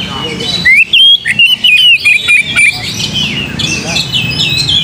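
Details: Oriental magpie-robin song used to provoke singing: a quick run of bright whistled notes, rising and sliding, lasting about two seconds, then mixed high chattering and squeaky calls continuing underneath.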